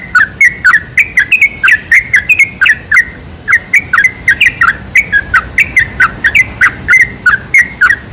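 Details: Lure recording of sooty-headed bulbul meant to attract bulbuls and make them sing: a continuous stream of short, bubbly, slurred chirps, many per second, bright and mid-high.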